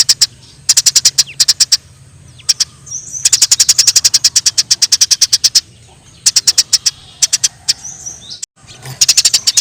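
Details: Eurasian tree sparrows fighting in the wild, giving bursts of rapid high chirps. A long run of chirps comes in the middle, with quiet gaps and soft rustling between groups.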